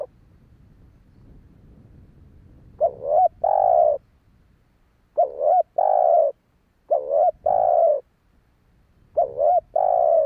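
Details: Cooing of a spotted dove meant to draw in wild doves: four repeated phrases, each a quick bubbling double note then a long level coo, spaced about two seconds apart after a quiet start with low hum.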